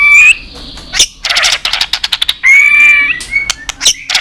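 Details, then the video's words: Excited white-rumped shama in competitive singing: a short sweet whistle, a rapid series of dry clicking notes, then a long steady whistled note followed by scratchy chips. "Chòe lửa kéo dây suối dài .đánh đuôi cực sung kích cực nhạy. kích chòe lửa căng lửa. chòe lửa tạch"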